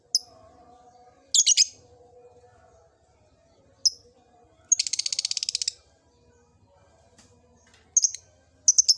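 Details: Lovebird in an old cage beginning to ngekek: scattered shrill chirps, then a second-long buzzy rapid-fire chatter of evenly pulsed notes, followed by more paired high chirps.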